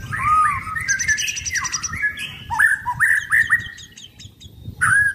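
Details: Caged blorok white-rumped shama, a contest bird during its sunbathing routine, sings a flowing run of mellow whistles followed by short upslurred notes and a final loud whistle.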